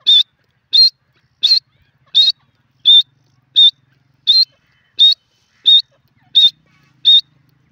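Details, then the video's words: Teetar, or francolin, giving an even run of about eleven clipped, high, slightly wavering notes spaced about two-thirds of a second apart, very regular, over a near-silent background. "dakhni teetar ki voices 🔥irani teetar ki awaz"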